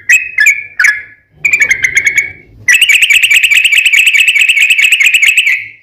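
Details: Yellow-vented bulbul in vigorous 'ropel panjang' song, used as a lure to make other bulbuls sing: a few short warbled notes, a pause, then a long rapid trill of evenly repeated bright notes lasting about three seconds.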